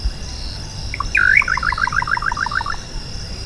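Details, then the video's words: Little nightjar (Hydropsalis parvula) song: a slurred upward note, then a quick stuttering run of about fifteen short paired notes over under two seconds, with a steady high insect drone underneath. "O Canto do BACURAU CHINTÃ (Hydropsalis Parvula) Bird Song - Little Nightjar"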